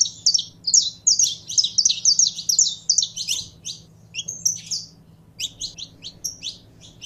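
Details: Caged Saffron finch warming up to sing, kept under a management routine meant to fire it up: rapid high, sharp chirped notes in dense bursts, briefly pausing near the fourth second before quicker clusters resume, over a faint low hum.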